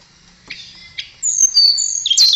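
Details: Blue flycatcher (tledekan) in full, energetic song: after faint opening chirps, clear high whistled notes slide and sweep, ending in a bright twittering burst.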